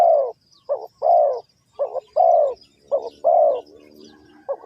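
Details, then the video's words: Cooing of a spotted dove, the Ninh Thuận cu gáy, near a bird trap. Paired short notes lead into a long, mellow, slightly falling coo, repeated about once a second in a steady run. Soft bird twitters are heard underneath. "The Sound Of A Spotted Dove is very good,Cu gáy Ninh Thuận"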